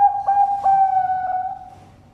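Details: Captive Bangkok-type zebra dove from a bird farm in Sidoarjo, East Java, Indonesia: two or three clipped low coos, then a long, smooth, pure-sounding note that slowly fades.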